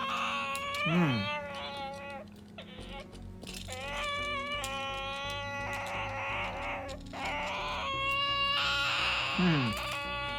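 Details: Ducorps's cockatoo torn between wanting to play with toys and wanting to be fussed over by its owner, giving drawn-out, nasal whining calls, steady in pitch and rich in overtones, about a second long each; a woman speaks softly between them.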